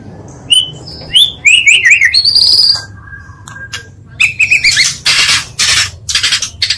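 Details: Oriental magpie-robin lure song for provoking rivals, patchy here: scattered high whistles and slurred notes, a sustained high whistle, then harsh buzzy bursts and scratchy chatter toward the end.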